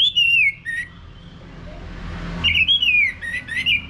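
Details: Orange-headed thrush in ngeplong-style song, meant to set off a singing male: a falling, warbling whistled phrase, a pause, then a longer string of bright, wavering whistles rising and falling, over low background hum.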